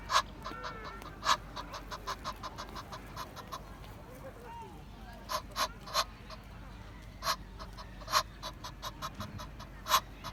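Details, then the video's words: Egyptian goose uttering repeated coarse honks in uneven bursts, some notes loud and emphatic, others soft and rapid, over a low hiss. "GANSO CANTANDO, Som de Ganso | Ganso do Egito"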